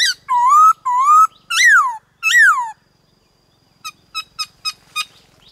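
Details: 'Đảo giọng' song of the black-throated laughingthrush for rousing captive birds and training juveniles: two rising whistles and two falling arched ones, then a series of faint short chips about every quarter second.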